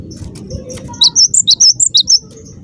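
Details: Gelatik batu (cinereous tit) calling to draw answers from other birds: a quick run of roughly nine piercing high chirps in a second and a half, alternating up and down in pitch, with a faint low hum behind.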